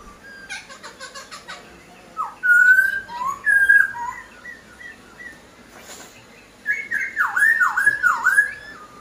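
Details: Poksai Hongkong, a masked laughingthrush from a breeder's aviary, in lively song: loud ringing whistles, several deep downward-swooping notes near the end, separated by quieter gaps with clicks.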